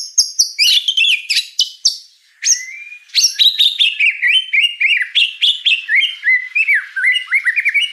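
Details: White-rumped shama song made to train juvenile spotted shamas starts with sharp high chips and a harsh rattle, then settles into brisk, repeated, downward-curving whistles.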